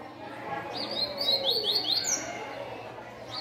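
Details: Seedeaters, a black coleiro and a brown coleiro competing, near 8 in the morning: a quick series of high, sweet slurred notes, several per second, over a murmur of people talking and music.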